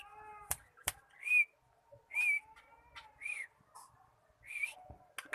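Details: A cockatiel learning to sing repeats a short arched whistle about once a second, each note rising then falling, mixed with sharp clicks and softer lower tones.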